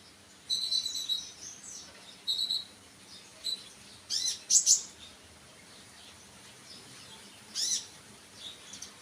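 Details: Sunbird giving high, tinkling twitters in short groups, then louder sharp, sweeping chirps, separated by quiet pauses.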